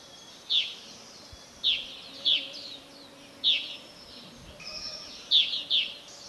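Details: Whiskered yuhinas near the summit of Doi Lang in northern Thailand: sharp, high, chipping notes given singly or in quick pairs about every second, with faint softer twitters between and a quiet background hum.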